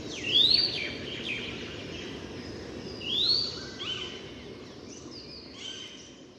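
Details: Rufous-bellied woodpecker in Sattal, Uttarakhand, India, giving two sharp, high, upslurred calls about three seconds apart, with faint softer bird notes and a low outdoor hum behind.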